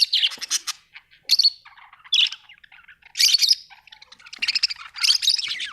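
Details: Australian budgie chirping in quick, buzzy bursts and warbled squawks, repeated every second or so with short gaps, high and scratchy throughout.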